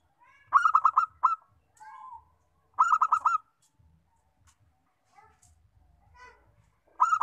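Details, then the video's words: Local perkutut, or zebra dove, used to get other doves singing, repeats loud bursts of rapid, stuttered cooing notes broken by softer single coos and faint knocking. "PERKUTUT LOKAL, BUAT MEMANCUNG BUNYI"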